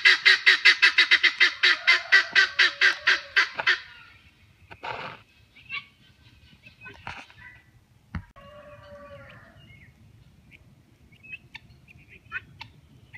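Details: A Helmeted guineafowl (Numida meleagris), raised and bred for tick control on a property in the northeastern United States, gives a fast run of harsh, rattling cackles, then scattered softer calls.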